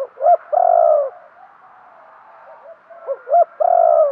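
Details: Spotted dove kept as a lure bird, urging wild doves with its coo. Two phrases: short rising-falling notes, then a long level coo that tails off downward, repeated after about three seconds.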